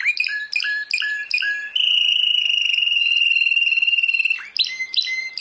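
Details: World champion canary delivering paired chirps in a quick series, a long even rolling trill, then bright sharp chirps at the close.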